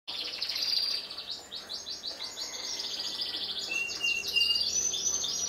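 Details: Canary song comparing a black-red canary and a yellow canary: a high trill of rapid repeated notes, then fast rolling phrases and buzzy runs held near the top of the range, with a few sharper whistled notes.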